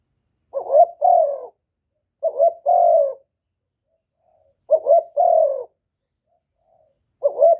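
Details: Spotted dove calling in the style used to stir up rival birds, Cà Mau, Vietnam; repeated phrases of short hiccupping coos ending in a longer, level-to-falling coo, roughly every 2.5 seconds, quiet background.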